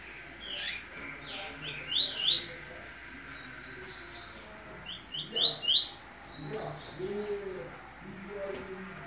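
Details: Double-collared seedeater male coming out of moult, singing the Sertão family song style. Loud bursts of sharp, rapid chirps and slurred whistles, mixing rising and falling notes, come at about two and five and a half seconds, with softer notes between and after.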